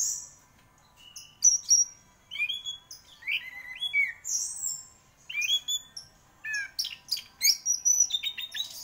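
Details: Orange-headed thrush (anis merah), a prize-winning bird in full song: a varied run of clear whistled phrases, slurred notes and quick chirps in bursts with short pauses, some high thin whistles and mimic-like trills, steady faint hum behind.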